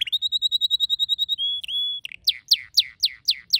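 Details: Pet canary singing a quick run of repeated high notes, then a long, level whistle, followed by loud, sharply falling sweeps repeated about every quarter second.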